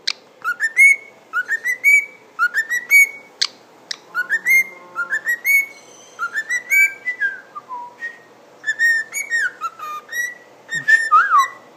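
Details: A cockatiel whistles learned tunes in clear, rising phrases, mimicking the Addams Family and Darth Vader themes, and also says "what you doing".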